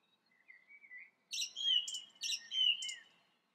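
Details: Song thrush singing: a soft run of thin whistled notes, then loud bright phrases repeated, each a sharp high burst followed by a clear whistled slur, given about three times.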